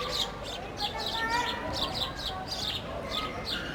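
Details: While eating bread, sparrows give a steady stream of short high chirps, loosely spaced, with a low continuous hum in the background.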